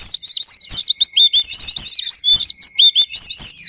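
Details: White-eye song used as a sparring-partner lure to provoke singing in all kinds of caged white-eyes: dense, rapid high twittering of thin slurred whistles, nearly continuous with brief pauses.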